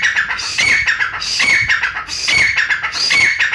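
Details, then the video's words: Brown francolin from Pakistan, recorded for hunters. Loud, dense, scratchy call phrases run together, with ringing high notes repeating roughly every three-quarters of a second. "بھورا شکاری تیتر ۔۔ براؤن شکاری تیتر شکاری حضرات کے لئے خصوصی ویڈیو۔۔brown frencolin Bird for Hunter"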